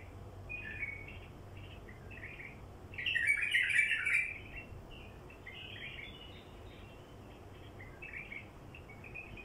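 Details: A wild bulbul, recorded for drawing in wild bulbuls, gives one loud rich warbling phrase mid-clip among fainter chirps, all against persistent hissing noise.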